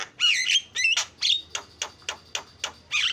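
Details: Javan myna song made of harsh, buzzy squawks and a few whistled twists. These give way to short raspy notes repeated about every quarter second, then a final squawk.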